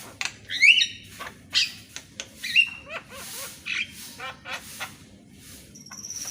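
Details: Javan myna singing in the morning, a training track for mynas reluctant to sing: a rising harmonic whistle, a shorter flat whistle, then a string of clicks and rattles, ending on a high steady tone.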